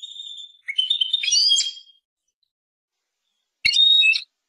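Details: European goldfinch, called Persian goldfinch song, giving a short twittering phrase with a whistled note, then silence and one brief bright chattering burst.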